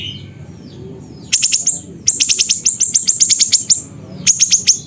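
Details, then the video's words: Siri-siri bird from Busu Reului, Mutiara, Pidie, Aceh, singing vigorously: bursts of rapid, very high, sharp chirps in quick runs of about ten notes, separated by short pauses, over faint low background hum. "Burung Siri Siri Nembak Suara Gacor"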